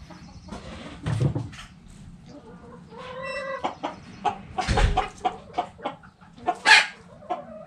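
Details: Backyard chickens clucking, with short broadband clucks and a brief harmonic call near the middle, plus scattered clicks and steady low background hum.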